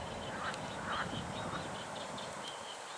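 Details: A Common Moorhen with chicks, early morning on the Oder river, hiding in reeds, gives short croaky calls about every half second, with thin high peeps repeating over a steady background hiss.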